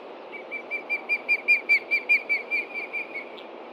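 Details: Nesting osprey in Montana, 30 June 2013 near 11:30 AM, alarmed by something on the ground. About seventeen rapid, high whistled notes swell in loudness and then fade slightly.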